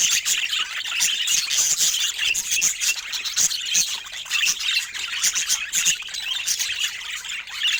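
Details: A flock of pet budgerigars making soft joyful sounds, their high chirps, squeaks and warbled twitters running together in a dense, steady chorus punctuated by quick clicks.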